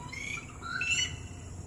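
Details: Short bright whistled call of a red-whiskered bulbul reaching out to companions far off, one rising-and-falling phrase with ringing overtones above a low steady hum.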